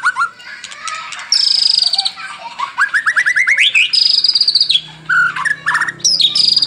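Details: White-rumped shama in full song, morning and evening lure recording for prompting birds: varied phrases of high whistles and buzzy notes, a rising run of rapid chips climbing toward a bright sustained trill, then sharp upslurred whistles.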